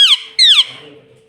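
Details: Pet rose-ringed parakeet mimicking the word "mummy": two quick, harsh, nasal syllables, each sliding downward, with a short gap between them, then a faint hum in a quiet indoor room.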